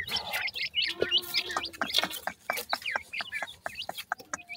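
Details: Grey francolin chicks calling to their mother while being fed; a busy run of sharp, high chirps and short upslurred peeps, many overlapping, with a few lower clucking notes.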